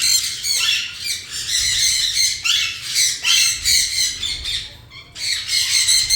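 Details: Rapid, irregular harsh squawks from a parrot, roughly two or three bursts a second, come with a brief lull near the end and no clear talking.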